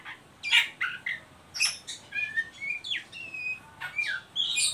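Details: Ngeriwik calling of an Oriental magpie-robin, meant to lure and stimulate young birds to sing, with scratchy bursts alternating with clear whistled slurs, some rising and some falling, in an irregular sequence.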